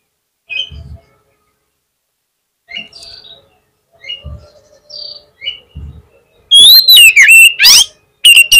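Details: Rival-baiting song of an oriental magpie-robin: several soft high chirps separated by pauses, then a sudden loud sequence of rich whistles, warbles and rasping flourishes.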